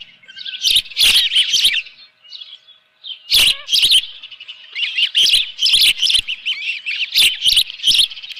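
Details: Osprey at the Dunrovin Ranch nest with a live fish, 24 June 2018, 7:32 in the morning; high, squeaky chirps in dense runs, broken by loud sharp clicks and thumps from the nest.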